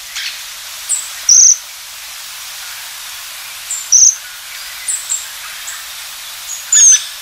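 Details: High, thin, buzzy trills from a Japanese waxwing, roughly every two and a half seconds, mixed with fainter high-pitched notes and one descending thin whistle at the end.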